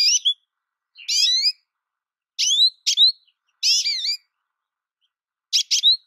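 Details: American goldfinch giving separate bright, slurred chirps, some rising and some falling, spaced about a second apart, with a quick paired couplet near the end; otherwise quiet.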